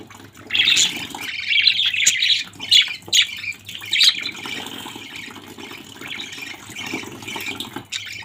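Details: A budgerigar family chatters in a run of buzzy, overlapping chirps over the first half, then softer, sparse calls against a constant hiss.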